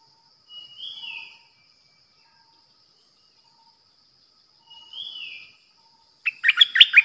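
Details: Decoy bulbul recorded 8 May 2021: two separate soft, falling slurred whistles several seconds apart, then a sudden loud flurry of rapid chattering notes at the end, with a faint constant high tone behind.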